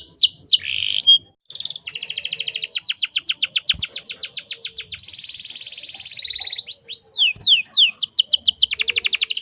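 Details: Canary said to be a female in breeding condition, luring males to sing: a few sweeping whistles, then long steady trills of quick repeated notes, a buzzy roll, and more sweeping upslurred notes.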